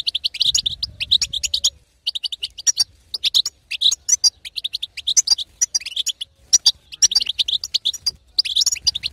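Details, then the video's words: European goldfinch female in batbata twitter, aimed at getting a silent male singing: repeated runs of rapid high chirps and chatter, each lasting about one to two seconds, split by short silences. "أقوى بتبته حسون تهيج وتهبل الحسون الساكت"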